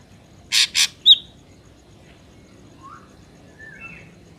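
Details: Ashy drongo song recording used as a trapping lure: two loud harsh buzzy bursts and a sharp note, followed by faint scattered whistled slurs amid quiet background hiss.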